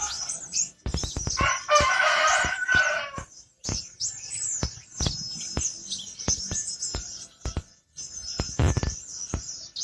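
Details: Black-winged flycatcher-shrike, original sound: high, thin twittering notes repeated quickly, mixed with frequent sharp clicks and a loud burst of rushing noise early on.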